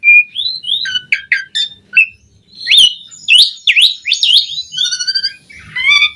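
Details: Varied Asian pied starling song used as a training master: gliding whistles, clusters of sharp chirps, then swooping V-shaped slurred notes and a falling series of tonal whistles.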